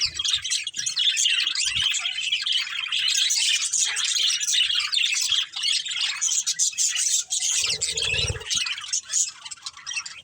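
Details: High, continuous chattering warble from a budgerigar breeding pair, fast scratchy chirps running throughout with a short low rumble near the end.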